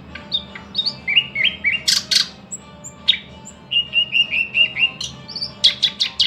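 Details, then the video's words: Thrush nightingale song made of paired whistles, loud sharp clicks and a run of evenly repeated mid-pitched notes, ending in a burst of rapid clicking, with a soft hum below. "luscinia luscinia"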